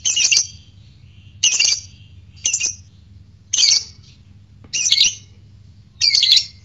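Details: Lovebird calls used to lure other lovebirds into ngekek singing: six harsh, high, scratchy squawks spaced roughly a second apart, each brief and abrupt, against near silence.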